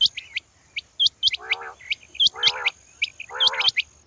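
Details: Female quail giving short, high hooked chirps in irregular runs, broken three times by a rasping, buzzy grating sound lower in pitch, against a faint background hum.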